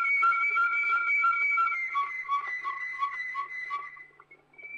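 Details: Old Belgian recording of a Waterslager canary singing steady liquid trills that drop midway into a lower, gurgling bubbling phrase pulsed about three times per second, ending in short fading notes.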